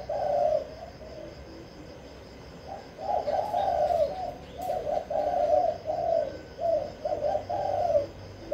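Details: Kích bổi cooing of a spotted dove from Vĩnh Long, used to excite wild doves: a brief coo, a quiet gap of two seconds, then a long chain of mellow, pulsing coos with faint clicks.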